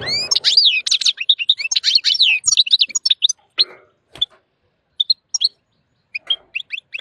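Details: Wild European goldfinch, highly excited while mating with a white female canary, pours out a dense liquid twittering song of sweeping and trilled notes, then tails off into sparse single chirps.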